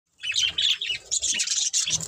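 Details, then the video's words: Budgerigars chirping: dense, scratchy high warbles and squeaky notes in quick bursts, with short pauses between bursts. "Budgies Chirping Sounds"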